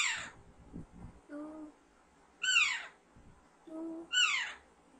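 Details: Baby Alexandrine parakeet kept as a pet: three rasping, downward-sliding screeches about every one and a half seconds, with a person's low humming voice between calls.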